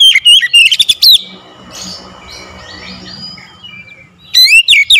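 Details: Oriental magpie-robin, a daily-kept bird prompted by one lure into energetic song: a fast burst of loud, piercing twisting whistles, a pause filled with faint chatter of other birds, then another loud whistled burst.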